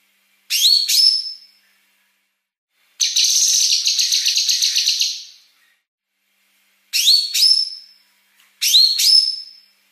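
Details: Female Yellow-wattled bulbul (cucak kinoi), kept bird, singing a fast, dense song used to tutor other birds: pairs of sharp rising whistled notes, a long buzzy trilling phrase, then more doubled rising whistles, with quiet gaps between.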